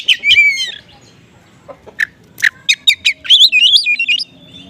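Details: Oriental magpie-robin lure song, konslet style with small-bird material, for magpie-robins that respond poorly; an opening slurred whistle, scattered sharp notes, then a fast run of looping high whistles and chips.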